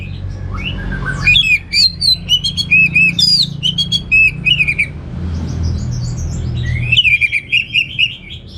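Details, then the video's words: Orange-headed thrush song: long, rapid sequences of varied whistled and chirping notes, including mimicked-sounding phrases, broken by a short quiet gap before another lively burst. "Suara Gacor Burung Anis Merah Teler Materi Melimpah"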